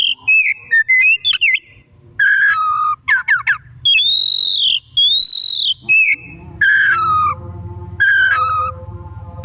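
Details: Oriental magpie-robin singing steadily in the afternoon, used as a lure to prompt birds to sing: quick rising whistles, arched high notes repeated twice, then several falling slurred phrases.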